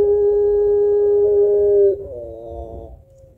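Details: Barbary dove of the pelung type, singing vigorously with a long voice and thick coo, used as a lure to stimulate other birds; one steady, pure, long-held coo for about two seconds, then a lower, softer trailing note.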